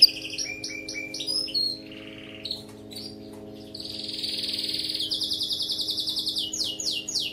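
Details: Canary singing for training pet birds: varied whistled phrases, short pauses, a long buzzy sustained tour, then rapid repeated chirps and rising sweeps, over a low electrical hum.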